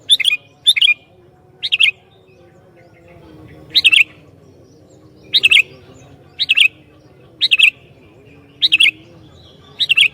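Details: A sooty-headed bulbul sings to lure and provoke rival bulbuls. Roughly nine bubbling, warbled phrases come in quick succession, each a short double or triple burst, over a faint steady murmur.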